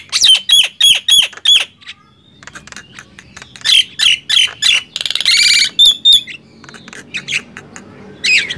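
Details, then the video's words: Gemboran loudness contest between Nias hill myna and black-winged myna: a quick volley of loud squawks, a quieter stretch of faint ticking, then another burst including a rattling buzz and whistles. "Adu keras gemboran jalak nias vs jalak kebo"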